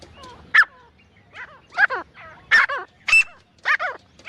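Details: Male and female grey francolin giving uneven harsh, grating calls with falling, wavering overtones, some doubled and one thin high whistle, over a low background hum.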